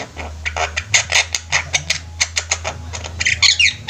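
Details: Javan mynas in a flock produce a steady series of short rasping squawks about three per second, ending in a brief whistled flourish, over a constant low hum.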